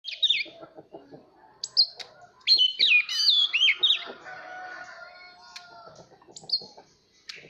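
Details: Oriental magpie-robin song used to train young birds' voices and provoke competitive singing: high whistled, slurred phrases in bursts, loudest in a dense run midway, with faint lower ticking notes between.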